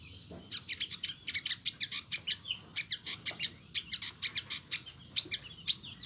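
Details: Territorial olive-backed sunbird of villages, forests and towns giving its characteristic 'nyecret' call: a steady series of thin, high, clipped chirps, about one per second or faster, some doubled, over a soft low background rumble.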